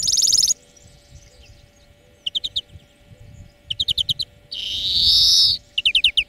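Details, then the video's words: Greenfinch lesson song for training birds: a loud buzzy note, then bursts of quick repeated chirps, a long harsh nasal wheeze, and a final rapid trill, low hum behind. "Florya Ötüm Dersi"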